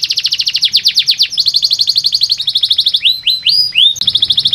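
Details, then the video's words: Canary singing, offered as a lure to get idle pet canaries to sing; rapid series of high descending chips, trills changing speed, then a few slow upswept whistles before another quick rolling trill. "Sekali putar kenari yang malas bunyi langsung nyaut di jamin gacor 100%"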